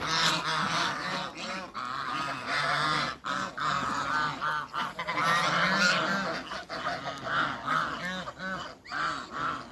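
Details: Male and female Toulouse geese meeting in a backyard, calling in a busy chorus of rapid, overlapping harsh honks and cackles, around three per second, with brief dips between bursts.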